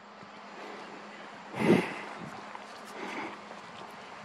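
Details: Walking beneath an osprey nest, wind rumbles softly with one short burst of a person's voice and faint rustling, but no animal call.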